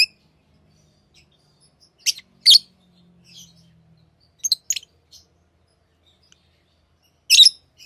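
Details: Tamed pet lovebirds give sparse, sharp high chirps, mostly single or paired, separated by long quiet gaps, with a faint low hum in the middle.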